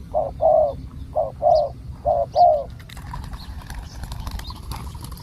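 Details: Wild spotted dove with a big coo voice during decoy luring: three pairs of hollow coos, short then longer, in quick succession, then scratchy rustling and faint chirps.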